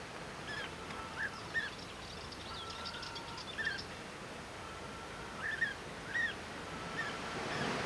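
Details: At Praia do Vau in the Algarve, Portugal, European bee-eaters give short, rolling 'prruip' calls, about eight scattered through the stretch, over a steady rush of wind and distant traffic.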